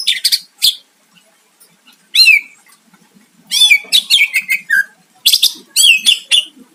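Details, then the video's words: Greater green leafbird singing energetically to provoke a rival: separated bursts of bright chirps and downward-sweeping whistled slurs, clustered into quick rattling phrases with short silences between them. "Cucak ijo gacor mancing lawan dijamin Nyahut"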